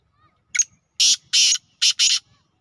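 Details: Kala teetar, the black francolin, gives its harsh call at evening in a village: a brief high click-like note, then a rhythmic run of four loud grating syllables, the final pair tightly spaced, with near silence around them.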